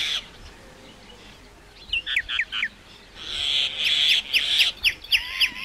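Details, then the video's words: Common myna song: a short hiss, a few quick chirps, then a loud harsh buzzy stretch mixed with rapid sharp chirps and a soft rising whistle at the end. "Common myna bird song /Indian maina sound /mynah singing"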